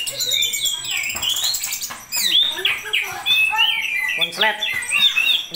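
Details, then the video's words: Orange-headed thrush singing in the konslet style: a dense, rapid stream of varied whistles, slurred upward and downward notes and chattering trills, high-pitched and nearly continuous, with brief murmuring human voice in the background. "Anis Kembang Janoko Konslet"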